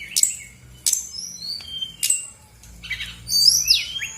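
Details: Brown-chested jungle flycatcher, a female of Bali stock, singing a lure song meant to stir lazy birds into song: sharp high whistles and down-slurred notes spaced about every second, then a burst of buzzy, twittering phrases.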